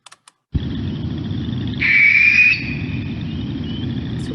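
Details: Barn owl Piper, a captive bird, or wild barn owls recorded in Houston near the northern edge of their range, gives the species' harsh, hissing shriek, swelling into a louder rasp for under a second then fading, over a steady low rumble.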